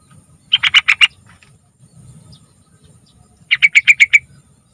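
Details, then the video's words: Yellow-vented bulbul song used as a lure to get young birds singing: two short bursts of five or six rapid, bright chattering notes about three seconds apart, with a faint low rumble between them. "Suara Burung TRUCUKAN Spesial Gacor Panjang Buat Pancingan Trucukan Muda"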